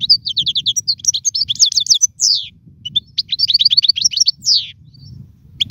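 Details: Caged European goldfinch, a contest songster whose song is used to teach young birds: fast runs of repeated high chirps broken by buzzy slurred notes, two long twittering phrases with a brief pause between.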